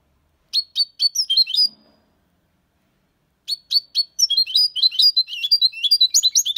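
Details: European goldfinch, six months old, singing the clean Málaga copy song style with colios, quejas and ornaments, used to stimulate young birds: bright high twittering phrases of quick metallic notes, a pause, then a longer, denser twittering run.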